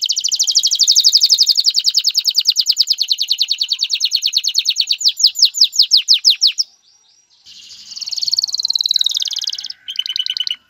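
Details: Male canary singing to stimulate a female to mate and build a nest: fast trills of rapid descending notes, then a brief pause and a higher buzzy rolling trill with short chirps.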